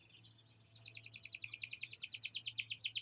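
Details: Singing canary whose long song carries learned lovebird chattering inserts; a brief whistle leads into a fast, even, high-pitched trill of bright repeated notes pulsing about twice a second, over a faint low hum.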